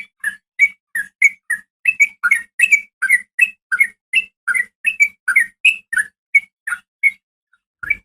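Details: Female yellow-vented bulbul calling to a male, a steady stream of short liquid, warbling chirps about three per second for seven seconds, ending with a brief thump.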